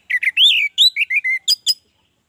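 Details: Orange-headed thrush, a caged bird singing vigorously: a string of loud clear whistled notes, some slurred upward and some level, closing with two short sharp high chips.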